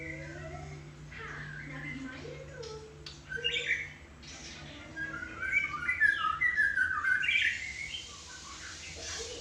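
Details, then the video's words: White-rumped shama on a terrace giving squawky, chattering notes followed by a burst of rapid, varied whistled phrases, with a faint low hum in the background. "penghuni teras #kicaumania #muraibatu"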